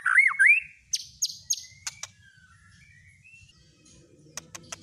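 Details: White-rumped shama lure song for provoking singing: a loud looping whistled phrase opens, then a few sharp chips and soft drawn-out whistles fade into quiet with faint clicks.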